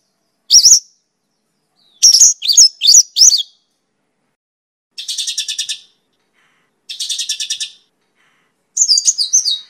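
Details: Mongolian lark song, used as a training and lure recording for songbirds: separated bursts of high chirps and sharp whistled notes, then two dense buzzy trilled phrases and a final twittering burst, with clean silence between phrases.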